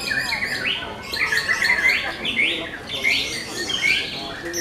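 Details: White-rumped shama singing at a singing competition: a run of clear whistled phrases, short rising and falling notes repeated in quick succession, with overlapping song from other birds and a faint crowd murmur behind.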